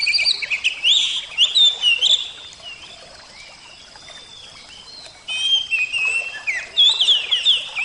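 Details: Kacer, the oriental magpie-robin, pours out quick varied whistles and sweeping chirps for two seconds, falls quiet over a soft hiss, then resumes with another rich run of slurred notes.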